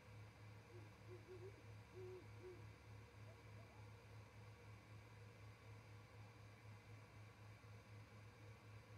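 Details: A male and female great horned owl converse on a nest-cam perch in Charlo, Montana, at 07:25 before going to roost. Several muffled low hoots in a short run early on, with constant throbbing background hum.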